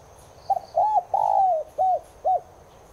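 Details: Spotted dove, Streptopelia chinensis tigrina, cooing to make caged doves coo in reply: a stuttered opening, an arched coo, a long sliding coo, then two short rounded coos, with faint thin chirps above.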